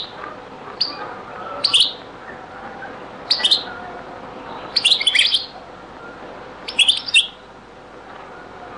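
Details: European goldfinch in a very old recording of the Beni Messous 'les avocats' or zaboka song style: short, separate phrases of high, bright chirps repeated about every one and a half seconds.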